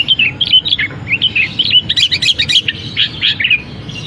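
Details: Caged long-tailed shrike mimicking canary, battling sparrows and kapas tembak once its cover comes off. Quick, piercing whistled chirps with short descending slurs, delivered in an energetic, near-continuous chatter.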